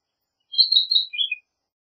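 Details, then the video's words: A Philadelphia vireo gives one short, high song phrase of slurred whistled notes lasting under a second, dropping slightly at the end; nothing else is heard. "Philadelphia Vireo Song! Philadelphia Vireo Call! - Vireo De Filadelfia Canto"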